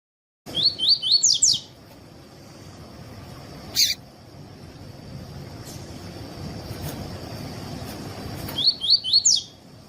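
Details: Double-collared seedeater in the tui tui song style, played to teach and warm up other seedeaters: two quick bursts of four or five rising, whistled notes, one near the start and one near the end, with steady hiss and a sharp click between.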